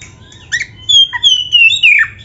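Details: Oriental magpie-robin singing for use as a training recording: a long sustained whistle wavering and falling slightly, mixed with short harsh chirps and a quick downward slur, over a faint low hum.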